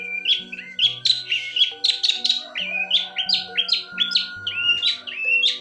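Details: Long-tailed shrike (pentet) in full, nonstop gacor song: rapid chattering phrases of scratchy notes and short whistled slurs, several per second, with soft background music throughout.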